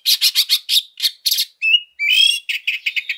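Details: Oriental magpie-robin singing a persistent, fighting-style lure song full of rough phrases: a run of rapid harsh, buzzy bursts, a few thin whistles, then a drawn-out scratchy note and quick chattering chips.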